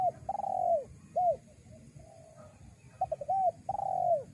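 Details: Mellow cooing of a spotted dove, a call played to lure wild doves. A long falling coo and a curved note, a softer low coo, then a fresh phrase of quick stutters and another drawn descending coo.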